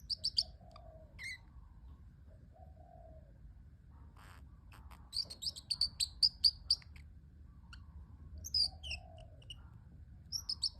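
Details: Pet parrotlet making cute sounds: clusters of high, rapid twittering chirps separated by pauses, with a longer chattering run in the middle.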